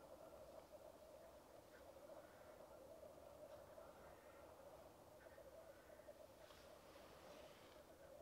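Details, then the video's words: Black grouse at a lek, captured with a Rode Videomic Go: a steady, low, dove-like bubbling murmur runs unbroken through all eight seconds, with a few faint hissing bursts on top and no other clear sounds. "Black Grouse lek"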